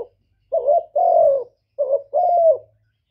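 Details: Spotted dove cooing: two phrases, each a short wavering note followed by a longer, level, slightly falling hoarse coo, separated by a brief pause. The background is quiet.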